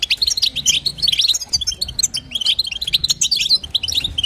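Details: European goldfinch female giving her stimulating call to the male: rapid bright twitters and liquid chirps packed closely together, a short lull midway, soft low hum in the background.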